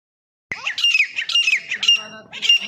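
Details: Grey francolin, locally called teeter, calling: loud, harsh, squawky ringing notes that begin after a half-second silence and repeat in a rapid series of about two per second.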